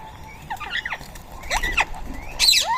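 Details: Rose-ringed parakeets feeding in Coimbatore: harsh, grating screeches in short bursts, each with broad rasping harmonics and quick falling sweeps, coming in three clusters over a faint background.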